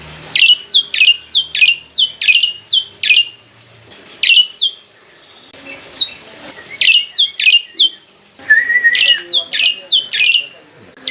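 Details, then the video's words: Mature captive black-winged myna, kept as a songbird and noted for a melodious, loud voice, singing as a lure meant to provoke a response: loud harsh notes sweeping downward, delivered in quick bursts about twice a second, with short pauses near four and eight seconds. "PANCINGAN BURUNG JALAK PUTIH FULL ISIAN (DIJAMIN RESPON 100%)"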